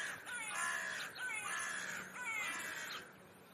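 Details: A large, lively band of house sparrows at a zoo viewing window in Leipzig, Germany, chatters in three dense, overlapping bursts of harsh chirping calls, with no single bird standing out.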